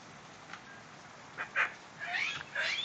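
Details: Medium sulphur-crested cockatoo, a pet female, happy after rain: faint brief squawk, then a louder rasping call and two longer harsh, wavering screeches over steady background hiss.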